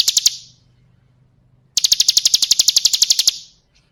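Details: Bar-winged prinia female calling for a mate, used to lure birds into singing: three quick high chips, a pause, then a rapid rattling series of about twenty sharp notes that fades out.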